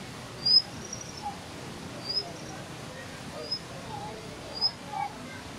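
Plumbeous water redstart giving thin, very high, sharp single notes, four or five over five seconds, above a steady rushing hiss like running water.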